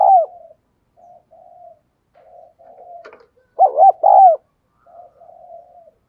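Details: Spotted dove lure for exciting males: soft, low, level coos repeated in short groups, broken by a click, then a loud burst of three quick arched hollow coos before the softer murmuring coos resume.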